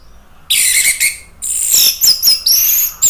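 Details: Orange-headed thrush song used to stir other birds into singing. Very high, buzzy and hissing phrases mix with thin whistled slurs, in two bursts separated by a short gap.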